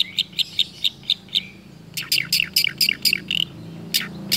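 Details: Long-tailed shrike imitating other birds, first evenly spaced sharp high chips about four per second, then a dense jumble of sweeping, chattering mimicked notes, delivered steadily without pause.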